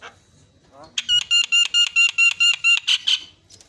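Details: Myna calling, played as a lure to make other mynas agitated: soft murmuring, then about ten loud ringing nasal notes in a fast even series, ending in harsher buzzy notes.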